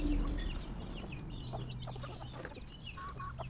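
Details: Chickens in a crowd at mealtime, disturbed by a noise: short mid-pitched clucks and a few rising chirps scattered through steady low rumble.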